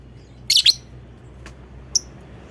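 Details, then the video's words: Lovebird call meant to prompt other lovebirds to sing: a quick pair of scratchy high chirps, then a faint tick and one clear sharp click. "Pancingan tercepat bikin Lovebird ngekek!!! ngetik ngekek PANJANG NYAUT ikut bunyi"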